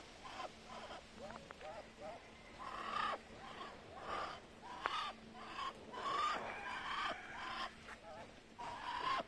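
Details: Hissing Muscovy duck: repeated breathy puffs, several carrying a brief squeaky whistle, spaced irregularly about one to two seconds apart, with a low steady hum beneath.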